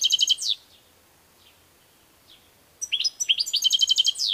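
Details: A European goldfinch ends a rapid trill, pauses with two soft isolated chirps, then bursts into a fresh phrase of quick chirps rolling into a fast, buzzy, evenly pulsed high trill.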